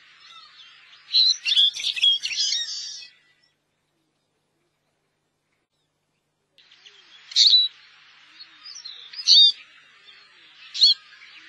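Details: Eurasian siskin wintering in Korea: a two-second burst of high twittering chatter, a silent gap, then scattered sharp chirps repeated every second or two over faint background twitter.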